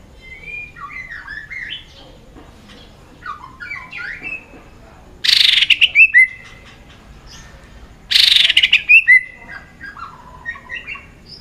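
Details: White-rumped shama in competitive multi-voiced singing: soft distant warbles, broken by two loud bursts of rapid chattering notes that end in a whistled slur, about three seconds apart.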